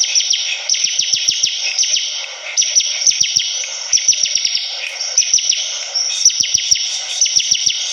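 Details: Bar-winged prinia in full lively song, rapid chattering bursts of high falling notes in quick series separated by short gaps, against a steady high hiss.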